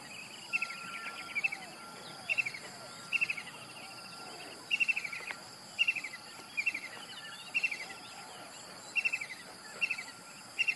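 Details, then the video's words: Morning kingfisher call: a steady series of loud, rapid chattering bursts repeated roughly every second, each a quick cluster of high notes, with a continuous insect drone and a thin steady tone behind. "king fisher calling in the beautiful morning"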